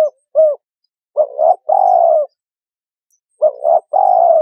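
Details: Spotted dove, recording used for luring birds into traps: a short coo, then two phrases of paired quick notes leading into a long steady coo, separated by a pause of over a second.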